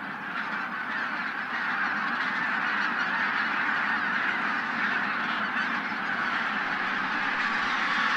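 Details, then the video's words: A huge flock of wintering wild geese, bean and white-fronted geese, departing before sunrise at Teichland Linum, Brandenburg. Loud, unbroken massed honking and cackling, a dense roar of countless overlapping calls throughout. "Wildgänse vor Sonnenaufgang im Teichland Linum (hundreds of wild geese before sunrise)"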